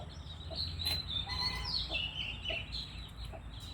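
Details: White-rumped shama singing a quick run of clear, high whistled notes and short slurred phrases, some sliding up and down, over a constant low rumbling background noise.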